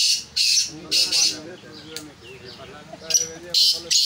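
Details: Rasping, hoarse bursts from a black francolin readied for chakri come in pairs at the start and end. A stretch of quiet male speech and faint background sound lies between them.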